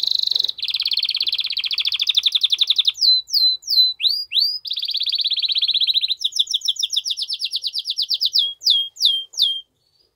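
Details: Canary delivering a strong song to stimulate the female to mate: long rapid buzzy trills alternating with loud falling and rising whistled slurs, ending in brief silence.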